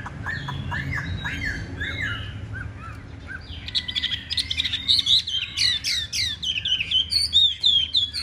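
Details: Caged Chinese hwamei, a fighting-display bird in the Vietnamese bird-keeping tradition, singing strongly: rapid varied whistled phrases, slurred notes sweeping up and down, building into louder, denser bursts of bright repeated notes in the second half; low background hum.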